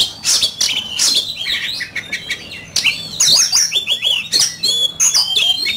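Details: Oriental magpie-robin pouring out competition song: quick high chirps and rasping notes at first, then fluid looping whistles and swooping phrases, about three notes a second, uneven in rhythm.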